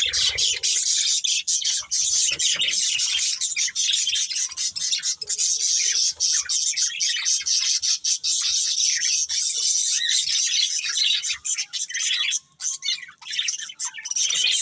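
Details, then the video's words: Budgerigar breeding pair keeps up a nonstop, high, buzzy warble full of rapid clicks and squeaks, hardly easing for about twelve seconds before a short quieter stretch near the end. "Cute Budgies Chirping Sounds"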